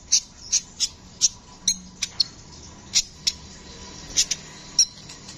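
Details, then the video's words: Brown-throated sunbird, locally kolibri ninja, singing vigorously. Spaced, sharp high-pitched chips, a couple of thin squeaky notes among them, coming about twice a second with short gaps, over a quiet low hum. "Masteran burung kicau Kolibri ninja gacor ngeroll"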